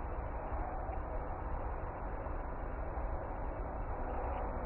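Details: Steady low urban rumble of passing vehicles, broadband and unbroken throughout, with no animal calls audible.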